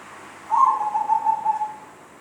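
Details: Zebra dove giving an unusual, strange-sounding call: one rolling, tremulous coo near one pitch, slightly falling and lasting about a second and a half against a quiet background.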